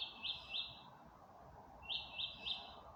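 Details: Night-time birdsong recorded on May 27, 2025 in darkness: two quick bursts, each of three bright, high chirps, separated by a pause, with a constant low hum underneath.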